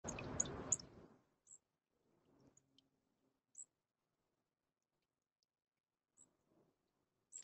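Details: Juncos chasing each other in play give thin, very high ticking notes singly every second or two, after an opening burst of rustling noise and faint low sounds.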